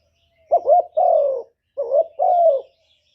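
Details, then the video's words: Decoy spotted dove giving its lure call to provoke wild birds: two soft low phrases close together, each a brief warbling note and then a drawn-out gently falling coo. "CU gáy Mồi Cực hay hạp bổi thúc gù bổi ghét, tiếng chim cu cườm, cu đất"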